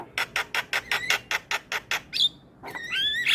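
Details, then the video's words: Starling lure song to prompt quiet birds to sing: about a dozen evenly spaced harsh, scratchy notes, then a pause and a rising, whistled squeal. "Pancingan Segala Jenis Burung Jalak - Jalak Malas Bunyi / Jalak Pikatan Auto Nyaut"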